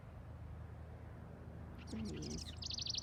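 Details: Male House Wren occupying a garden birdhouse gives a quick, bubbly burst of high, rattling trills, singing to warn off a person too close to its nest; low background rumble and faint talking.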